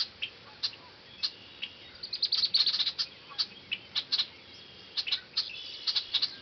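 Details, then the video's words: Red-winged blackbird at Heron Park giving short, sharp high chips, scattered singly and in quick irregular bursts, densest around the middle, over a steady faint hiss. "Redwinged Blackbird"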